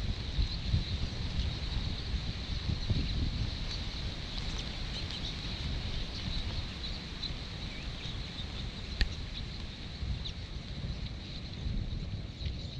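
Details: A flyby of an estimated 5 million Bramblings gathering at a roost in Zasavje, Slovenia, on 24 January 2019, lasting 30 minutes. Continuous high, hissing chatter of countless overlapping calls over heavy low wind rumble.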